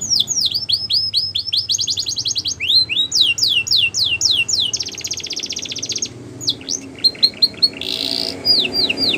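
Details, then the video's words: Border canary singing a training song for young canaries, with varied tours of downward-sweeping whistles, a buzzy rattling roll, sparse notes and a harsh burst near the end. "Border Canaries | Canary Training Song"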